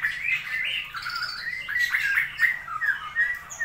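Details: Straw-headed bulbul in captivity in Indonesia, rainy season, pouring out a continuous rich, liquid warble of slurred mid-pitched notes, with fluty swoops and a slightly muddy, reverberant background.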